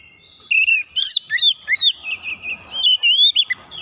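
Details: Oriental magpie-robin provoked by a rival: a steady sequence of pure, slurred whistles, some rising and some falling, at a fairly even pace after a short quiet start.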